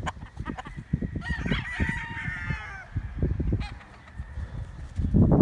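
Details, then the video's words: Chickens and roosters, a rooster crowing once in a drawn-out, harmonic cock-a-doodle-doo lasting about a second and a half, with short clucks and a steady low rumble underneath. "Wake up to the sound of chickens and roosters crowing"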